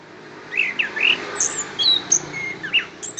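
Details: Short passage of orange-headed thrush song from Kediri: a handful of clear looping whistles and thin high notes spaced unevenly over about three seconds.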